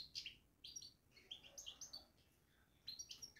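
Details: European goldfinch in a cage giving a babbling twitter, tight clusters of sparkling high chirps and buzzy slurs, a short lull, then another burst of chatter.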